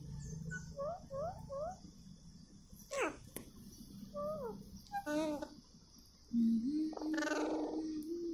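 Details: Talking Indian ringneck parakeet: a series of short paired whistled chirps, then a sharp falling squawk, quavering notes, and a long flat held tone at the end, with a faint steady hum throughout.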